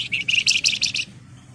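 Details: Javan wergan singing loudly, calling out to rivals, used as a lure. A brief, buzzy, high trill of about six rapid pulses lasts one second, followed by a faint low rumble.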